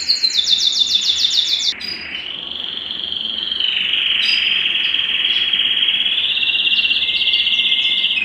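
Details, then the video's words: Belgian canary song to excite males and bring females into breeding condition: a quick high trill, then a long sustained rolling buzzy tone held steadily for several seconds. "Canto Para Esquentar Canário Belga e Foguear as Fêmeas"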